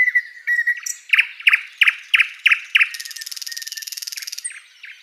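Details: Flycatcher song used as tutor material: a whistled opening, then loud chip notes repeated about three times a second, followed by a long rapid buzzing trill and a final thin whistle.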